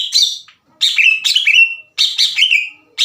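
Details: Greater green leafbird kept in a cage, loud, aggressive song inviting other leafbirds to fight; three bursts of harsh buzzy chatter, each trailing into a long downslurred whistle, separated by short pauses.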